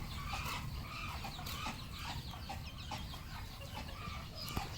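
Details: Farm-raised red junglefowl, many birds kept together; dense overlapping clucks and chatter with a constant low rumble beneath.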